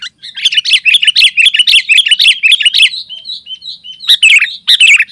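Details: Sooty-headed bulbul in rapid, continuous song, used as a lure and tutor for other bulbuls: a steady string of bright, chirping, up-and-down notes, then soft short whistles and two loud chirpy bursts.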